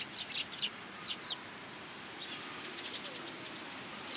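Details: Rainy-day sparrows on cherry branches at a Tenmangu shrine, arriving for food, 26 March 2023; a few brisk high chirps early, then quieter chirping and a last note at the end, with soft rain noise throughout.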